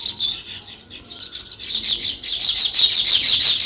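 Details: Chirping sparrows in nature: rapid trains of sharp high chirps, a short burst, a brief lull, then a dense, steadily loud run of chirps to the end.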